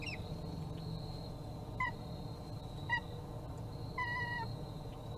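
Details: Bald eagle on a forest service nest camera in Kisatchie National Forest, 13 January 2022 at 17:25: three short, faint, flat harmonic notes about a second apart, over a steady low hum and a constant high tone.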